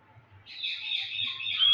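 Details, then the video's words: Pet Indian green ringneck parakeet giving one drawn-out, slightly buzzy high call that swells in loudness and rises sharply at the very end, with a faint low hum behind it. "Indian green ringneck talking raw parrot /parrot speak in Urdu"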